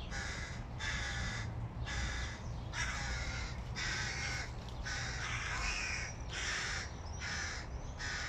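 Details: Hooded crow nestlings, hungry, clamouring as their father brings food: a rapid series of coarse, grating caws, roughly one every 0.7 seconds, each burst noisy and broad, against a constant low background hum.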